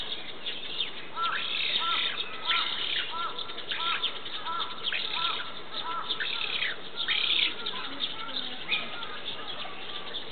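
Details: Black-faced spoonbill chick being fed at a zoo in Tama, Japan: a rapid run of short, repeated nasal begging notes, several per second, over steady background noise.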